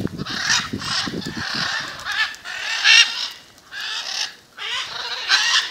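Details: Macaws gathered in front of a house at Jaumave, Tamaulipas, in February 2015 utter drawn-out, harsh screeches about every two seconds, separated by short quiet gaps, with low thumping at the start.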